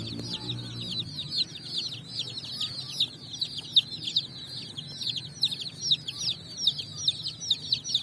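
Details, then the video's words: Many young chicks out of cardboard boxes, foraging on sand at evening, giving a steady stream of shrill descending peeps in rapid overlapping bursts, over a faint low rumble. "Chicks Chirping"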